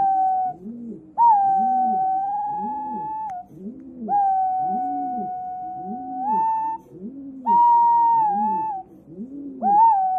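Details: A flightless, rescued male White-bellied Green Pigeon kept in Yokohama gives long, mournful whistled notes, each held two to three seconds and bending upward at the end, over a low rhythmic background hum.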